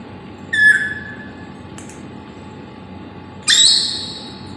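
A macaw gives two loud, harsh, grating squawks about three seconds apart, the second rougher and longer. A faint click falls between them.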